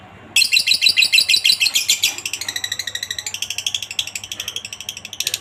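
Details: Ngekek chatter of a lovebird, recorded as a master for teaching other lovebirds. Loud, rapid, buzzy notes repeat steadily, then shift to a thinner, slightly softer rattling series that carries on for about five seconds.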